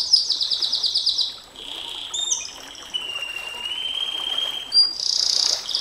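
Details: Canary delivering a long 'nembak panjang' song: a rapid high trill, then sustained pure whistled tones sliding gently upward for several seconds, finishing with another burst of bright rapid notes.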